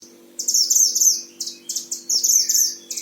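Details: Oriental white-eye, a caged bird from Sragen, Central Java, Indonesia, singing busily: rapid high twittering phrases in three bursts, each a dense run of sharp chirps lasting up to a second, with a steady low hum underneath.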